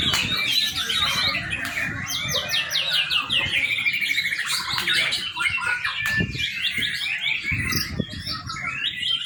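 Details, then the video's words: Young white-rumped shama used as a lure for training: lively song of rapid repeated whistled notes in quick runs, some sweeping downward, mixed with harsh chatter, delivered almost nonstop, with occasional low knocks in the background. "murai batu muda. cakep buat pancingan"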